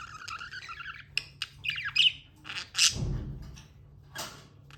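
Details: Pet budgerigar chatter: a trilling warble at the start, then scattered sharp chirps and a couple of rasping squawk bursts, over a steady low indoor hum.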